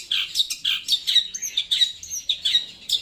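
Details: Long-tailed shrike delivering a loud, clear song of rapid, bright chips about four per second. A faint, thin, high whistle runs behind them.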